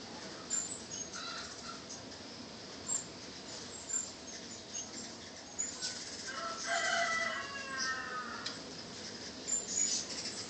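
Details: Many hummingbirds at a nectar feeder, recorded by phone from a distance: thin, very high chips and squeaks in quick, irregular bursts with buzzy wing hum, possibly the shrill wing whistle of male Rufous or Broad-tailed; a rooster crows faintly.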